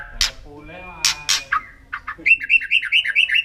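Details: White-rumped shama in the wild: a few harsh squawky notes and a short whistle, then a quick run of bright chirping notes repeated rapidly.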